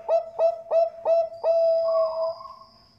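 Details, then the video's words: Bangkok zebra dove from a breeding farm in Bekasi, West Java, Indonesia, used as a lure to get other doves singing: four short, evenly spaced cooing notes, then one long, steady, slightly buzzy coo that fades out. The background is quiet. "Pancingan perkutut bangkok gacor ampuh"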